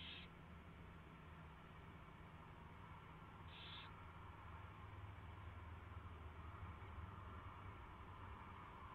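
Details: At an owl nest at 4:21 AM, 24 February 2016, a mouse is brought in and fed; two short hoarse high-pitched calls about three and a half seconds apart, then only steady low hum.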